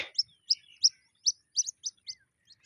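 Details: A caught White-breasted Waterhen chick, later released, gives thin high peeps, about nine short notes in under three seconds, some doubled, with a brief lower scrape at the start.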